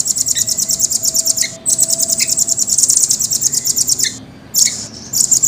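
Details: Caged velvet-fronted nuthatch giving long, fast rolling trills of very high pulses, with a few isolated lower chips and a brief silence before the final burst.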